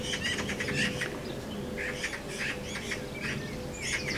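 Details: Magpies squabbling at their nest in a garden give rough, scratchy chatter notes in uneven clusters, with short pauses and a few sharper chirps near the end.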